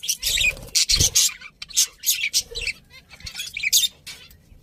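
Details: Chirping of pet budgies: uneven clusters of raspy, high warbled notes with brief gaps, a soft thump near one second.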